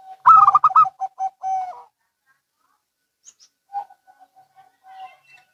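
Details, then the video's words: A local or Bangkok zebra dove opening with a loud quick burst of stuttered bubbly notes and a drawn-out coo, answered after a pause by soft distant cooing. "Perkutut Lokal & Bangkok Bunyi Saling Bersahutan"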